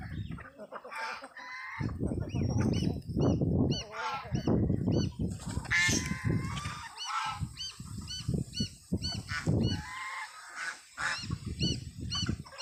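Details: Adult geese with chicks; rough honks sound repeatedly while a run of thin, high, regular peeps, likely the chicks, repeats steadily through much of the clip, over low rumbling noise.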